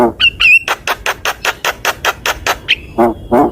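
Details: Javan myna master song meant to coax other birds into singing: a couple of clear whistles, then an even run of about a dozen sharp, dry clicking notes, ending in a whistle and two rasping bursts.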